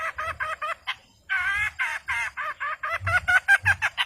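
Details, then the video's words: Long-tailed shrike singing to challenge rivals and wake silent birds. A fast, regular string of grating, nasal chattering notes continues almost without pause, with a brief gap near the start. "Cendet Gacor Si Pemancing Lawan Sangat Ampuh Mengatasi Burung Yg Membisu"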